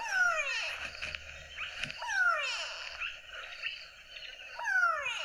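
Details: Grey go-away-bird from Botswana, its call likened to the words 'go away, go away': drawn-out nasal descending wails, three in succession about two seconds apart, over faint background rustle.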